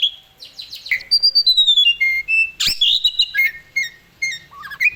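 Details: Asian pied starling in full, energetic song, used as a master recording to lure lazy starlings into singing: a rapid mix of clear descending whistles, bright repeated notes and one sharp harsh burst, with short pauses between phrases.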